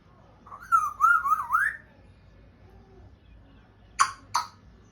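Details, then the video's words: Pet African grey parrot indoors trying to speak and making sounds: a wavering whistled phrase near the start, then two short sharp clicks or squawks about four seconds in, over low room hum. "African grey parrot trying to speak and making some sounds"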